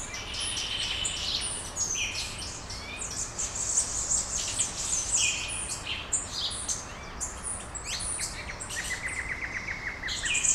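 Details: Dawn chorus of little birds in Brasília, Brazil, a dense tangle of high tweets, quick slurred whistles and sharp chips without pause, with a rapid run of repeated notes near the end.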